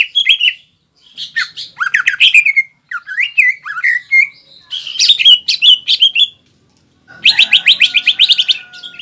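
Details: Green leafbird belting out varied song with fighting mimicry to stir an opponent; wavering slurred whistles and squawky notes broken by short silences, ending in a fast even chatter.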